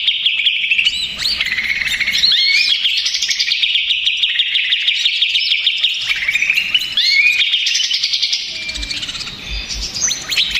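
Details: Agitated greater green leafbird singing as a lure for another leafbird: long, unbroken torrent of high, fast chattering and mimicking notes, with short rising whistles woven in and a few faint low thumps late on.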